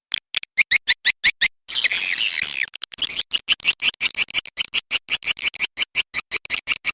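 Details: Swiftlet sound of the Walet Macan Merah style, said to be proven to get a response: a fast train of sharp, high clicks or chirps, about three per second, broken early by a dense, rolling twitter.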